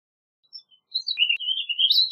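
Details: Warbling vireo (Vireo gilvus) song: a quick, run-on warble of slurred high notes wavering up and down, starting with a few soft thin notes; no other sounds.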